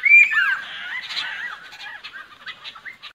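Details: Lesser necklaced laughingthrush singing to lure birds for trapping: a loud whistled, slurred phrase opens, followed by fading harsh chatter and scattered short notes.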